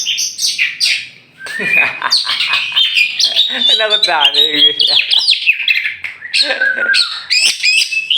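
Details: Tame champion oriental magpie-robin from Meulaboh, Aceh, let loose before being caged again; loud varied song of bright whistles and slurred high notes, broken by a harsh buzzy harmonic phrase midway.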